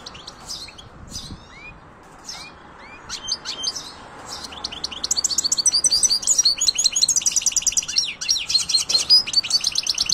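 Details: European goldfinch with scattered upward-sliding chirps at first, then a loud fast rattling twitter of rapidly repeated buzzy notes filling the second half.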